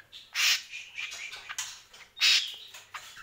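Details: Greater green leafbird giving two loud rasping bursts with softer whistled and chipped notes woven between them.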